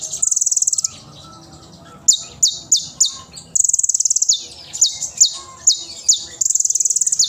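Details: Oriental magpie-robin singing loudly with sharp shots and rich fill, a tutor song for young spotted birds. A high buzzy trill, a short pause, then strings of sharp falling whistles broken by further rattling trills.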